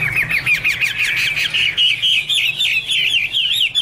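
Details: Chinese hwamei repeating bright whistled notes in quick succession, a steady rhythmic series of up-and-down slurs that climbs slightly in pitch toward the end.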